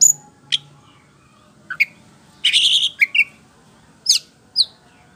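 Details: White-rumped shama giving a ngeplong-style song used to lure birds into answering: isolated sharp chips and short whistled slurs, with a harsh rasping burst in the middle and long quiet gaps between notes.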